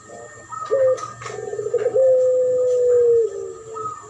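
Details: Spotted dove in a duet lure recording mixed with puter pelung dove, made to attract birds: low drawn-out coos, a long level note held over a second, with a thin steady high tone and faint background hum.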